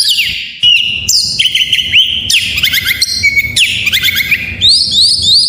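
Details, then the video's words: White-rumped shama song, a full varied 'isian' recording used to prompt lazy shamas to sing: loud rapid whistled phrases, sharp rising and falling sweeps and buzzy trills between mid and very high pitch, continuous with faint low background rumble. "Suara masteran burung Kacer || pancingan KACER full isian"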